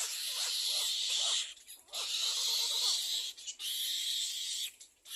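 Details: Begging Little egret nestling at a second nest calling its parents for food: three loud, rasping, hiss-like bursts separated by brief gaps, with softer chattering notes running underneath the first two.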